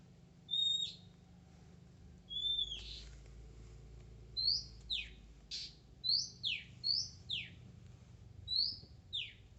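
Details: Oriental magpie-robin, wild and shy yet singing steadily: clear whistled notes, some level, many sliding sharply downward, given in short bursts with brief pauses, over a faint low rumble.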